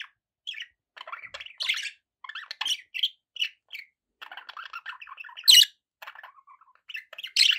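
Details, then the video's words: Pet budgerigars chirping, kept as company birds: a busy run of short scratchy chirps and squawky notes, mostly high-pitched, in irregular bursts with brief pauses, ending with a few louder sharp squawks. "budgie sounds"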